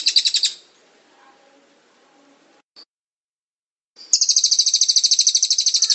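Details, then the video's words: 'Teler'-style blue-crowned hanging parrot 'tembakan' song: a short burst of sharp high chirps, then near silence, then a dense, fast, piercing trill that keeps going. "SERINDIT TELER"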